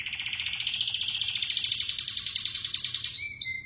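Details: American Singer canary, a breed crossed from the Border and Roller canaries, delivering a fast, even rolling trill of high pulses that slowly rises over three seconds and ends in a brief clear note.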